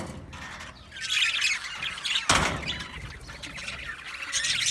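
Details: Australian budgerigars singing and chirping: overlapping warbled, scratchy chatter and squawks rising and falling, with a sharp click midway.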